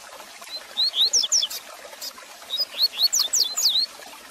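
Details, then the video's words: Song of a double-collared seedeater, meant to fire up a caged bird: two bursts of thin, rising whistled notes followed by sharp descending slurs, about a second each, over steady crackling background hiss. "Canto Para Esquentar seu Coleiro Com Fibra!!!"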